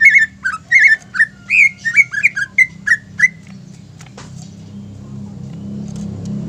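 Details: Greater green leafbird singing in captivity as a provoking song for other birds: a rapid series of a dozen sharp, slurred whistles over three seconds, then quiet with background hum and a faint click.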